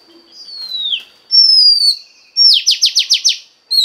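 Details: Female Oriental magpie-robin voice used to excite a male bird: a long descending whistle, then a pure sustained whistle, then a quick series of about six sharp rasping notes in rapid succession.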